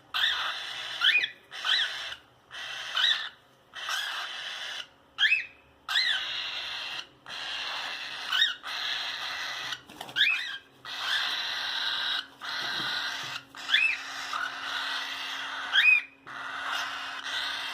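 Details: A cockatiel playing inside its cage gives a steady run of harsh, grating calls, each about a second long, with quick rising whistled inflections.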